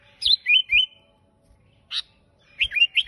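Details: Sooty-headed bulbul in full, chatty song, described as an unusual voice. A quick pair of bright, slurred whistled notes sliding up and down. A short sharp note follows after a pause, then another burst of three bubbly notes.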